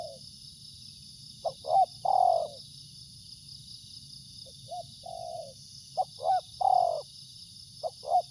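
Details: Spotted dove cooing: short clipped notes leading into a longer, fuller coo, the phrase given twice with a quiet gap between, over a steady high hiss.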